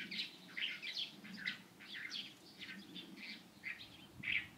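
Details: Light-vented bulbul recorded 16 April 2023, delivering rapid, rich chirps in an uneven chattering series, roughly two to three notes per second, with a low background hum.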